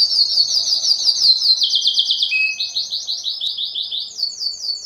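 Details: Belgian canary singing to stimulate females for breeding, a very high, fast rolling trill of repeated slurred notes shifting through several tours, with one brief lower whistle.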